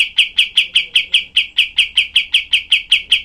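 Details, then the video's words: Rough, sharp tembakan from a cream-vented bulbul (kapas tembak), a tutor recording for other songbirds: about fifteen loud, harsh, identical chirps repeated at a fast, steady pace, roughly four each second. "masteran kapas tembak untuk semua burung FAIGTER"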